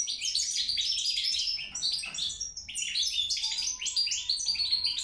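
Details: Rapid goldfinch song: jumbled, sparkling chirps and short trills tumbling over one another at high pitch, briefly thinning near the two-second mark before resuming, with a soft tonal hum in the background.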